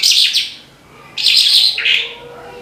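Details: Branjangan, a lark, giving two bright bursts of rapid trilled, chirping notes separated by a brief pause.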